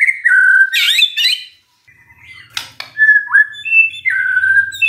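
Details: Magpie-robin song used as a lure to provoke a silent bird into answering: loud whistled notes near a steady pitch, then harsh buzzy bursts, a brief pause and a drop, and further sliding whistles.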